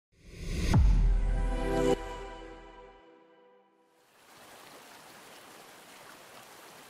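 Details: A loud resonant musical chord swells and fades, followed by soft hissing outdoor noise like running water, without any animal sounds.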